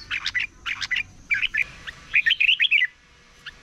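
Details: Red-whiskered bulbul, a wild-caught bird in voice training, in morning competition singing: chirpy warbled bursts, then a lively run of six ringing whistled notes, with a faint constant high hum.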